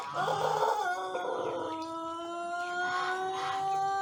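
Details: In the morning in Indonesia, a young Pelung cockerel one month into learning to crow holds a long, even, sustained crow, the tone smooth and level with a slight waver toward the end.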